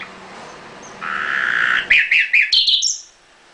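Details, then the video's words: Nightingale kept in a cage gives a long steady whistle over background hiss, followed by a few quick sharp notes climbing to a high thin whistle. "Nightingale singing in the cage Hassania fee kafase"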